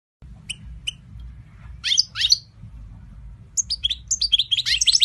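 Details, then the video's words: European goldfinch during mating, short high chirps at first, then a burst of bright twittering notes that grows denser toward the end, over a low steady hum. "Ζευγάρωμα καρδερίνας!! (Carduelis Carduelis)"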